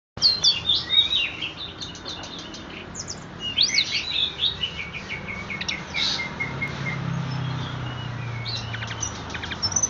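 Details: Horsfield's bush lark, known locally as tledekan, sings a lively string of high whistles, sharp chirps and brief buzzy trills with short pauses, over a low steady hum.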